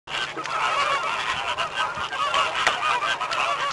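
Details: A flock of American flamingos calls in a dense, continuous chorus of nasal, goose-like honks and gabbling notes. The many overlapping voices form a steady wall of sound for the whole stretch.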